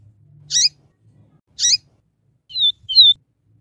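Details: Double-collared seedeater song in the 'Viviti tel tel' style, recorded for training, a female also calling: two harsh buzzy chirps about a second apart, then paired bright whistled notes, each with a short upslurred lead-in.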